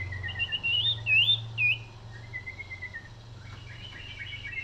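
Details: Common iora in full cetrekan song: looping whistled notes that rise and fall, then a softer run of quick chattering trills, with a constant low hum beneath.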